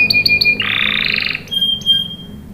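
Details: Canary singing as a lure for young birds: a few sharp chirps, then a harsh buzzy burst, then a thin steady whistle with short accents.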